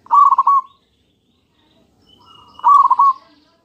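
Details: Zebra dove of the local type giving its lure song to provoke answering doves: a fast bubbling coo phrase, a pause, then a softer rising lead-in into a second rolling phrase, with faint thin whistles behind.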